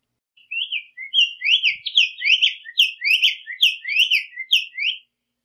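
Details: Black-faced tanager singing persistently in the wild: a rapid, unbroken run of sweet, slurred whistled notes, each rising then dropping, packed together for about four and a half seconds in a clean recording without other sounds.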